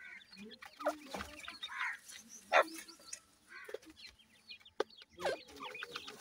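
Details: Young partridge babies being looked after, several chicks giving thin, rising and falling cheeps in loose bursts, broken by occasional clicks and a bumping noise.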